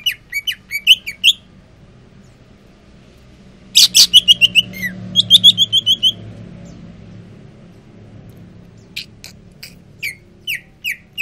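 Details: Captive greater green leafbird, cooling down after sunning, sings in separate bursts: rapid high chirps, a harsh crackling note, a fast run of sharp whistles, then spaced single high chips near the end.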